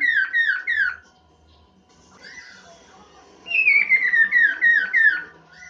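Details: Chinese hwamei singing as a master song for training birds. Series of rich, downward-slurred whistles repeated about four per second, a quieter warbled passage, then another run of six repeated slurred notes.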